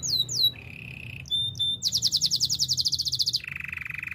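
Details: Domestic canary singing a training song: two swept notes, a low rolling trill, short high pips, a loud rapid pulsed trill, then a lower rolling tour.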